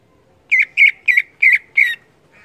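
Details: Greater green leafbird (cucak ijo) in lively gacor singing, loud ngeplong style, meant to spur other leafbirds: five harsh, squawky slurred notes repeated about three times a second, then a faint trailing note; background otherwise quiet.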